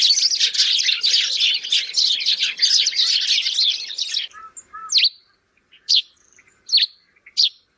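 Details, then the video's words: Sparrows chatter in a dense run of high, rapid chirps for about four seconds, then give four separate sharp chirps spaced about a second apart. "Goriya(Sparrow) calling sound"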